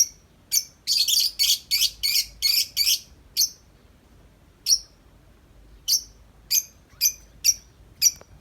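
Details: Tame lovebird outside its cage giving long 'ngetik' chattering: a fast run of sharp, high chirps for about two seconds, then single bright chirps spaced roughly a second apart.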